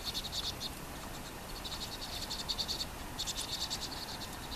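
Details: In winter (Nov–Dec 2023, Korea), a flock of fluffed-up Vinous-throated parrotbills moving with tits and quickly eating grass seeds chatter in quick bursts of thin, high ticking notes, several birds calling over one another against a soft outdoor hiss.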